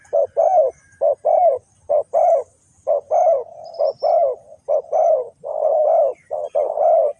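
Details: Trapping decoy spotted dove from Ninh Thuận producing a long series of throaty coos, quick clipped notes alternating with fuller, longer ones in a rhythmic, almost continuous sequence over seven seconds.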